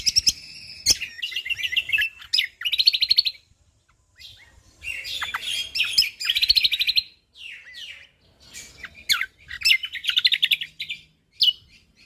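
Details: Energetic Lombok white-eye singing in dense bursts: high chirps and short whistled slurs lead into quick rattling trills, delivered in three separate phrases split by brief pauses.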